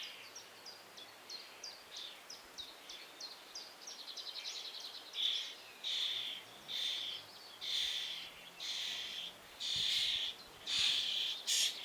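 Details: Young common starling at a nest box hole, waiting for food from its parents: a quick series of short ticking chirps, then loud harsh rasping bursts, repeated roughly every second.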